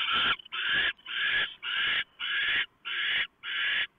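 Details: Owlets of barn owl, fed in the nest at 3:59 AM after the male delivers a huge mouse; seven harsh, hissing screeches in four seconds, evenly spaced.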